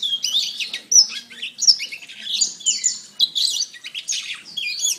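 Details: A singing kenari, or canary, on a training recording: hurried, scratchy, high warbling with steep slurred notes and some harsh squawky elements, delivered in quick overlapping phrases.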